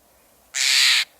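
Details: Steller's Jay, one of its two very common calls, heard in playback: a single harsh, grating rasp lasting about half a second, rich and broadband, against a quiet background.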